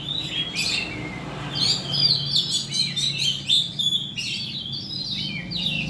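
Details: Lure recording of an oriental magpie-robin, meant to set birds singing. Bright whistled notes and fast trilled chatter come in dense bursts, swelling in the middle, with a low humming background.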